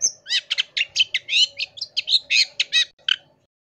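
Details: Long-tailed shrike master song for tutoring other cage birds: a fast series of about fifteen harsh, rasping chattering notes in quick rhythm, with a steady faint low tone underneath.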